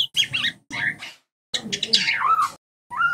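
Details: White-rumped shama song from training audio meant to help shamas learn songs: rich, varied warbling bursts with chattering and a descending slurred whistle, in two main phrases separated by a pause.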